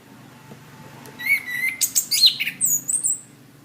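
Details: Orange-headed thrush singing for training cage birds: after a quiet start, a two-second stream of sweet whistles, sharp high chips and descending slurs, delivered fast and varied.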